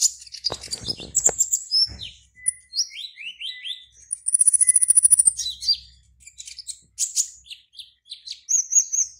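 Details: Caged black-naped oriole entered in an online singing contest, from Serang, Banten, Indonesia: a fast, varied run of high chirps, short slurred whistles and a buzzy trilled stretch, with brief clicks near the start.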